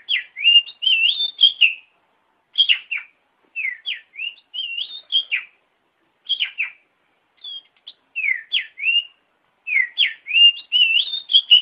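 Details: Oriental magpie-robin singing for caged-bird training, morning or evening sessions: repeated phrases of rapid, twisting warbled notes and whistles, grouped in clusters with brief silent gaps between them, no other sounds.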